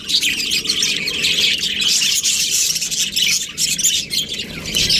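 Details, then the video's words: Australian budgerigar breeding pair: dense, continuous high-pitched chirping and chattering warble, overlapping squeaks running without pause through the whole stretch. "Australian budgies breeding pair | Budgies chirping sounds"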